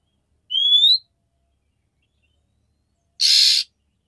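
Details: Female oriental magpie-robin calling a male to stimulate mating: one clean upslurred whistle with thin overtones, then after a pause a single harsh, scratchy rasp.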